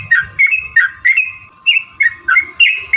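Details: Sooty-headed bulbul lure song to draw replies from other bulbuls: separate clear whistled notes with quick downward flicks, repeated about three times a second, with soft low rustling and a steady whine beneath.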